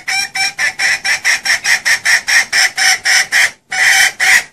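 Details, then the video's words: Female red junglefowl used as a lure call for hunting: a loud, rapid run of harsh, even clucks, about three per second, with one short pause before the series resumes. "Suara ayam hutan betina || Cocok untuk pikat dan berburu"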